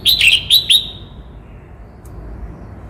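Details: Red-whiskered bulbul from Cao Bằng, Vietnam, singing a quick burst of three bright, slurred whistled notes in the first second, then near silence with faint background hiss.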